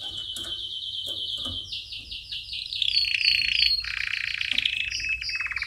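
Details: Canary song meant for training chicks: steady rapid trill, then phrases of repeated notes stepping up and down in pitch, a buzzy rattle near the end, over light background noise.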